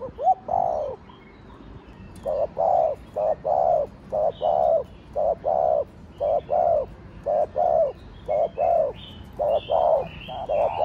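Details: Spotted dove (cu gáy, cu đất) giving rapid gù cooing meant to rouse other doves: a steady string of short, low, hollow coos, roughly one or two per second, with faint birdsong in the background.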